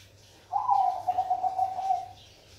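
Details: Zebra dove of the Bangkok perkutut type gives one clear cooing phrase: a brief upward start, then a fast rolling, bubbly trill that drifts slightly lower over about 1.6 seconds, over a quiet low hum.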